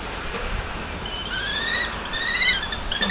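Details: Common kestrels, a mated pair calling to each other, with faint, drawn-out, thin whining notes that rise slightly over a hissy background.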